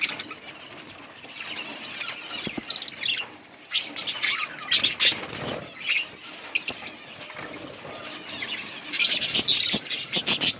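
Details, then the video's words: Budgerigars eating green leaves in a colony, giving scattered high scratchy chirps and twitters in bursts, with soft rustling between calls. "budgies birds chirping sounds in budgies colony"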